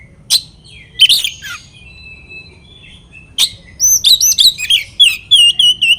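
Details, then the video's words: Oriental magpie-robin provoking rivals: a few scattered sharp chips and a soft whistled note, then from four seconds a fast series of varied, swooping whistled phrases repeated about three times per second. "PANCINGAN KACER BIKIN LAWAN EMOSI"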